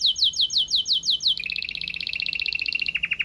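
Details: Red Mosaic Agate Canary giving a powerful song: a run of fast, high, downward-sweeping notes, then a rapid, even trill of bright pulses that drops slightly in pitch near the end.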